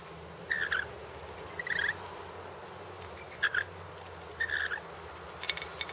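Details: A rainbow lorikeet in a backyard gives short, shrill, grating screeches about once a second, in uneven bursts over a steady low background hum.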